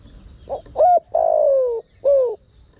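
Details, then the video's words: One spotted dove phrase meant to attract wild birds: two quick soft coos, then a drawn-out falling croon and a closing short descending coo. Faint insect buzzing sits behind it. "Chim cu gáy gọi hay kích bổi nhanh nổi"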